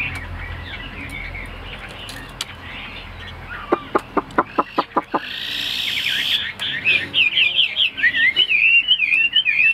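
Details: Caged, tame Chinese hwamei; a series of sharp knocking clicks comes first, then the bird bursts into loud, rapid, warbling whistled song with wavering, sliding notes.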